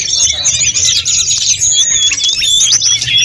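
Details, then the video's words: Short burst of snowy-browed flycatcher song for training other songbirds. Tight, high twittering is woven with clear drawn-out whistles toward the end. "Masteran sulingan gunung full isian || Tledekan gunung gacor || Sulgun nyuling-nyuling"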